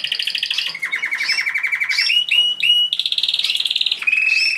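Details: A male white Belgian canary sings bright, high rolling trills, each a rapid run of identical notes, shifting abruptly between pitches every second or so, courting a female before breeding.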